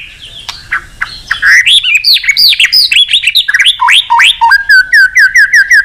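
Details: White-rumped shama singing to call a rival: a rich, rapid stream of varied whistles, loud slurred and swooping phrases, ending in a fast series of repeated short notes.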